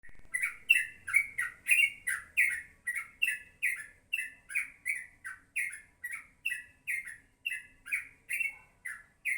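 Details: Yellow-vented bulbul singing in the morning: bright, bubbly two-part phrases around the middle pitch range with crisp high overtones, repeated steadily about twice a second throughout, no other sounds clear.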